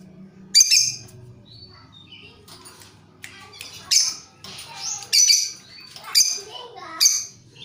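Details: Lovebirds answering each other as a lure: scattered shrill, high chirps a second or so apart, over a low background rumble and faint thin whistles.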